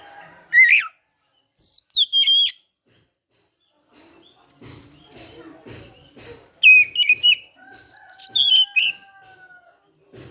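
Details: Kept Oriental magpie-robin singing in the morning after its dew bathing: bursts of loud, shrill, down-slurred whistles and chirps, separated by quiet gaps with soft rustling and knocking. A steady faint tone sounds near the end.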